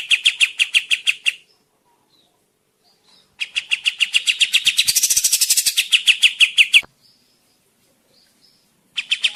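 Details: Energetic kapas tembak song, used to lure birds in the forest or to tutor others: bright chirps repeated about four per second, a long accelerating series that turns buzzy and higher in the middle, then a pause before another chirp run.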